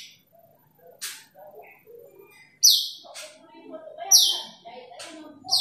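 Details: Asian glossy starling calling a rival: two strong, sharp descending high notes stand out among softer twittering and quiet mid-pitched chatter.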